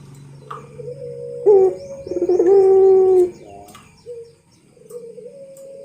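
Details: Barbary dove (puter) of the pelung type giving a training model song: soft lead-in notes, then one loud, steady low coo held for about a second before fading, with quieter hums before and after.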